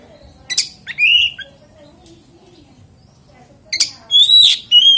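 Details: Oriental magpie-robin lure song meant to provoke other magpie-robins into singing: two short bursts of high, clear whistled notes and harsh chips separated by a quiet pause of nearly three seconds.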